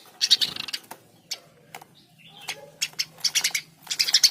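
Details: Eurasian tree sparrow giving dense chirping bursts and single sharp notes with quiet spaces between, plus a faint low hum underneath.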